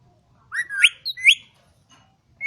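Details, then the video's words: Talking rose-ringed parakeet at a farm in Quetta producing two quick rising whistles, each swooping upward, followed by quiet and the start of another note. "green ring neck talking parrot"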